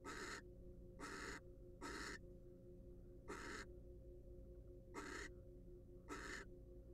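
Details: Six harsh, breathy screech bursts from a wild barn owl in a research nest box, uneven gaps of roughly one second between them, a low continuous hum behind.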